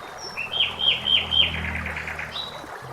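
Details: Common blackbird singing in a forest by running water: four matching hooked whistled notes repeated about every third of a second, then a softer trailing warble and a final high note, over gentle water noise.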